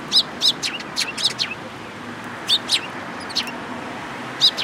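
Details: Several Eurasian tree sparrows at a Tenmangu shrine, April 14, 2022: bright, clipped chirps, some doubled and some in quick runs of two or three, with a short pause midway, above a soft background hum.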